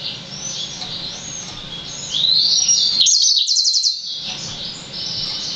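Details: Six-month-old Yellow-fronted canary x Black-throated canary hybrid, a young singer not yet mature, giving a high twittering warble with sliding notes and a quick buzzy trill of rapid repeated notes near the middle, over low background hum.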